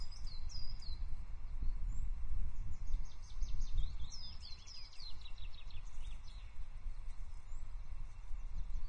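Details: Nesting ospreys at Loch Arkaig, 4 May 2024, during a stick delivery by the female onto the male; series of thin descending whistles and chirps through the first half, over continuous blustery wind noise.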